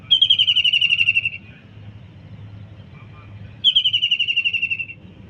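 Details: Kingfisher heard in a kitchen garden: two shrill, rapid rattling trills, each about 1.3 seconds of evenly spaced harsh notes sliding gently downward, with a quiet gap between and low background hum.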